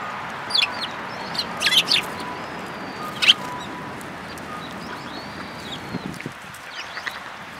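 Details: A flock of sparrows coming to be fed at a Tenmangu shrine, 24 February 2022: bright, abrupt chirps in small bursts, the loudest near the middle, with softer twitters and steady background noise between.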